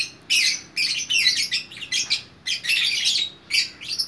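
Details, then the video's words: Gacor single fighter lovebird from Bukittinggi, West Sumatra, sings in repeated bursts of rasping, high-pitched twittering, each lasting about half a second, with short gaps between. "Burung Lovebird Gacor Orkestra"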